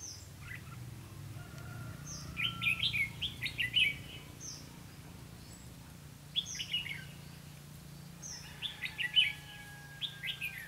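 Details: Red-whiskered bulbul used to lure wild birds into a trap, recorded 4 November 2016: repeated cheerful warbled phrases of fast chirpy notes, each preceded by a short high whistle, with a faint drawn-out tone and low hum.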